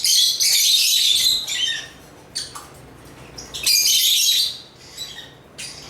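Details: Shrill, harsh chattering from African lovebirds, a long noisy burst, then scattered short chirps and a second loud burst before tapering off.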